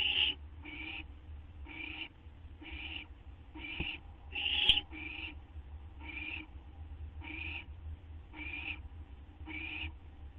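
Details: Owl awaiting a treat of gopher or vole around 12:38 AM on 8 September 2011. About eleven short, breathy screeches come in a steady series, one louder and harsher midway, over a persistent low hum.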